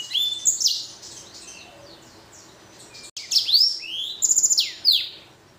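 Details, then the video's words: Hybrid finch, a blackthroat crossed with a canary, kept as a pet and singing actively: high, thin whistled phrases with sharp downward sweeps, a pause, then fast trilled notes and rising swoops. "Blacken Gacor Warna Unik Sekali | Blackthrout x Kenari"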